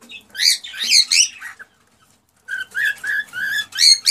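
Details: Male cockatiel singing to encourage a female to mate. Scratchy warbled notes come first, then after a pause a string of clear, evenly spaced whistles, one ending in a high sharp note.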